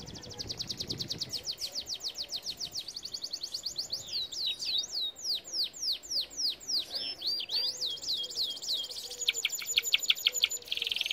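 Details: Training song of a canary, opening with a fast dry trill, moving into looping downward-swept whistles, then a sharp high rapid rattle at the close.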